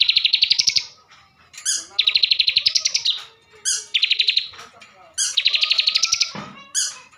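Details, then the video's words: Caged bar-winged prinia from Slawi, Tegal, Central Java, Indonesia, singing energetically: loud, fast buzzy trills of rapid notes in bursts about a second long, separated by short pauses, with faint chirps between. "ciblek gacor isian mewah"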